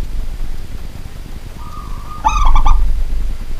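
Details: Zebra dove of a local strain calling at night, a quick run of three or four clipped, resonant coos preceded by a level humming tone, all over a constant deep rumble.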